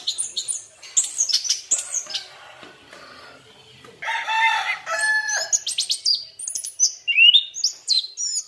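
Orange-headed thrush in vigorous song: rapid, varied high whistles and chattering phrases, with a buzzier burst midway and sweet rising notes near the end.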